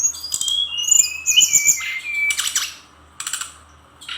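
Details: Brown-chested jungle flycatcher from Bali, a lively full song: thin high whistles and sliding notes mixed with harsh rasping bursts and sharp clicks, phrases broken by short pauses.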